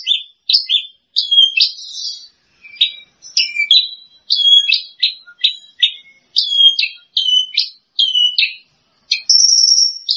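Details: Bush lark, runner-up in a song contest, giving varied bursts of high chirps and clipped notes separated by short pauses, ending in a sustained thin, very high whistle.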